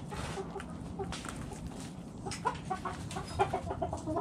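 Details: Backyard hens feeding in a coop, giving scattered low soft clucks and brief notes amid rustling and steady low background noise.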